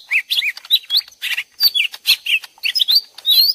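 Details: Two lesser green leafbirds in a fighting-style back-and-forth, prepared as a trapping lure: rapid varied phrases of curled whistles, rough buzzy notes and quick chirps, ending with high sweeping slurs.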